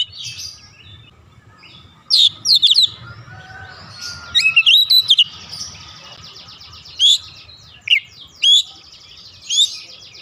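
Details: Kacer, the Oriental magpie-robin, worked up and singing isian filler: scattered loud whistled notes and a quick cluster of chirps, with long gaps and faint low background noise.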